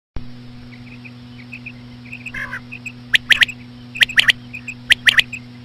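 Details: Female common quail, known locally as batair, calling slowly as a lure to attract quail; sharp clicking notes in tight pairs and triplets near the end, over soft repeated chirps and a steady electrical hum.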